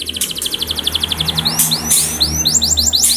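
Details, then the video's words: Canary song meant to coax canaries into vigorous singing: fast rhythmic chip trill, then arching whistled swoops and a rolling trill, over a low steady hum. "Pancingan Bunyi Burung Kenari Supaya Cepat Gacor"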